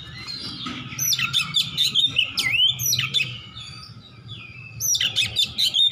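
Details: Fighting Oriental magpie-robin calling for a rival in ngeplong song: clusters of sharp clicks and downward-swooping whistles, a brief lull, then another burst of whistled notes over a low hum.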